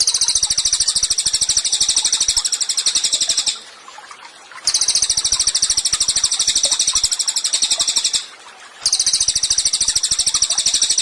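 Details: Cililin in lively song, recorded as tutor material for songbirds: long runs of rapid, high, chattering notes lasting three to four seconds each, separated by brief silences, repeated three times.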